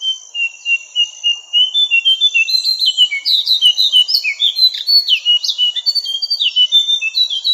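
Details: Javan cochoa song from a songbird training recording: long rapid sequence of high chirps, rising and falling whistled slurs and buzzy notes, delivered at several notes per second without pause. Clean and quiet otherwise.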